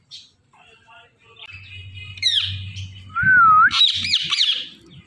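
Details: Indian ringneck parakeet, a talking parrot, gives quiet scattered chatter before a bright sweeping squeal, a wavering whistled phrase, and a burst of loud harsh squawking notes, with a low hum underneath.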